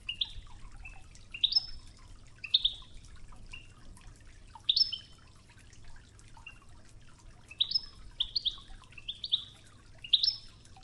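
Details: European goldfinch on a Wejdani 'toughza' training recording with river water: softer, spaced, short high chirps and twittering notes every second or so over a continuous low water murmur.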